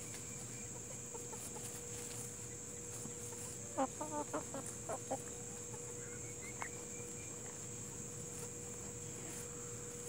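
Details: A rapid series of clipped clucks from Plymouth Rock and Hamburg chickens midway through, trailing off into quiet, with a constant high-pitched drone behind.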